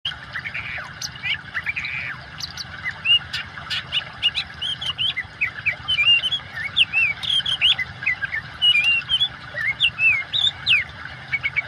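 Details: Oriental magpie-robin song set against running water: short whistled and twisting notes repeated at an uneven pace over a steady watery hiss.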